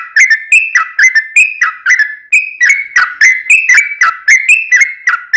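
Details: Yellow-vented bulbul, called trucukan, giving a long rapid 'ropel panjang' song to lure other birds into song: bright gurgling whistles repeated about three times a second, alternating slightly higher and lower notes.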